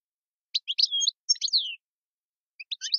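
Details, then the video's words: Algerian European goldfinch, tiwawati song style: a few scattered chirps and slurred whistles separated by short gaps, with a descending note near the middle. "chant chardonneret tiwawati mondolin servati saw saw sepla sepla djiw"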